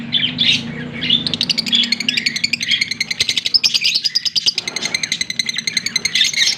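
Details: Two green Fischer's lovebirds, recorded October 16, 2023, chatter in a fast, continuous stream of high twittering chirps that pulse rapidly for several seconds. A soft low hum sits underneath.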